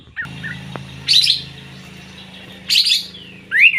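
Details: Sooty-headed bulbul singing 'gacor': two sharp chirpy bursts and a final rising slurred whistle, with soft short notes at the start and a steady low hum underneath.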